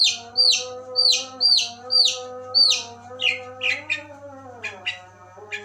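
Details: Long-tailed shrike's tembakan phrase copying the chirping of a tree sparrow (gereja): loud, sharp chirps about once a second, then quicker, rougher notes, over continuous humming background tones.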